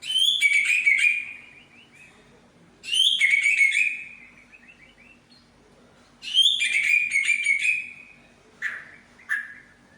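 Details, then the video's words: Medan-type white-rumped shama showing off its imitated repertoire: three bursts of rich, ringing high phrases, each ending in a sustained whistle, separated by pauses of about two seconds, then two short lower chip notes. "BURUNG MURAI BATU MEDAN BONGKAR ISIAN"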